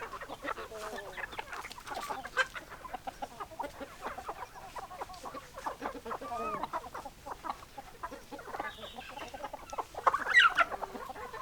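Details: Flock of hens clucking with rapid, irregular short notes and a few drawn-out rising calls, growing louder near the end.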